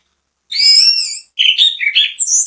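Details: Anis kembang, the orange-headed thrush, in lively bait song used to set other birds singing: a long bright whistle with rich overtones, short pause, then varied chattering phrases stepping up to very high squeaky notes.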